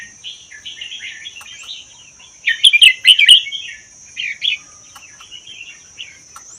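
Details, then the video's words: Caged red-whiskered bulbul from the wild Vietnam–Laos area, kept one year, delivering doubled 'berl' song used to stir other birds; quiet chattering warbles, then a loud rich burst near the middle, with a constant high whine. "นกกรงหัวจุกป่าเวียดลาว ชำใว้1ปี เบิ้ล80% เปิดกระตุ้นนกฟังนกร้อง"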